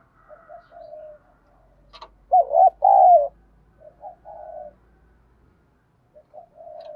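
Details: Spotted dove 'gáy gọi' coo, used to call wild doves. Soft murmured coos surround one louder rolling phrase in the middle, with a brief click just before it.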